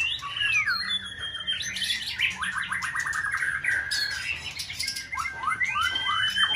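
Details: Captive white-rumped shama in full breeding season, singing a varied contest-style song to provoke another bird; rapid ladder-like trills, sharp descending whistles and bright upslurs follow each other continuously.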